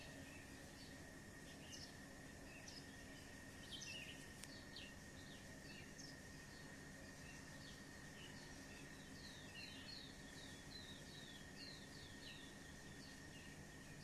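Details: Birds chirping in the evening: many short, high, rapid chirps and twitters scattered through the clip, denser toward the end, over a steady high whine and low background rumble.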